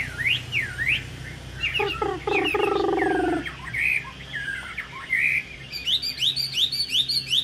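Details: Caged Chinese hwamei, a top-10 finisher at Thanh Trì in 2019, gives varied whistled slurs. A harsher buzzy stacked sound cuts in midway, then rapid repeated bright chirps close the phrase over a faint low hum.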